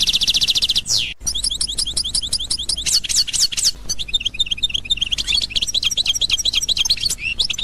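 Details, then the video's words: European goldfinch of the authentic Constantine song style, 2021: a fast, dense run of high twittering notes with a rapid buzzy trill at the start, then looping chirps, liquid twitters and clicking notes, all delivered at a lively pace. "اجمل حسون قسنطيني الاصيل"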